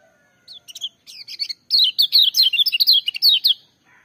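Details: Lemon-bellied white-eye beginning with a few separate high chips, then building into a rapid, loud run of sharp downslurred whistles lasting about two seconds.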